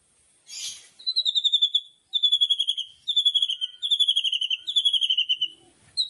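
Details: White-rumped shama, a loud kretekan song meant to provoke a shama into singing: a brief noisy burst, then four rapid trains of bright, high, slightly falling whistled notes, each lasting about a second.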